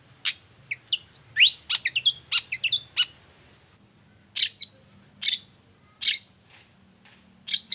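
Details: Morning song of a Long-tailed shrike, used as a lure to get silent birds singing back. Sweeping whistled slurs and sharp clicks run together, then spaced single harsh notes about once a second.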